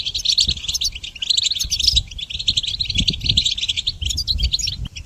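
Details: Goldfinch song used to teach songbirds, a steady, energetic flow of bright twittering and buzzy jingles, with a soft low background hum.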